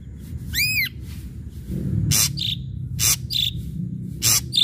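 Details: Ashy drongo song used to provoke other birds into singing: one bright arched whistle, then harsh broadband rasps alternating with short clipped whistled notes about once a second.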